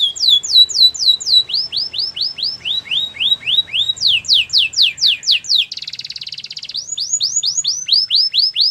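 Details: Singing canary changing tours of repeated downslurred whistles several times. A brief buzzy, rattling trill comes midway, followed by more quick swooping notes.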